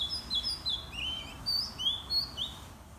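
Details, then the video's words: White-rumped shama singing in the morning: a run of clear, sweet whistles and quick slurred notes, high and varied, several phrases in quick succession over a faint low hum. "เสียงนกกางเขนดง เพราะๆ ยามเช้า"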